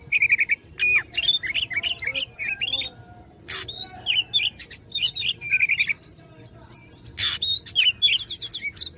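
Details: Oriental magpie-robin (kacer) in strong fighting song, provoking rivals: rich varied whistles and trills, rapid buzzy bursts and harsh rasping notes in quick phrases, high-pitched and loud throughout.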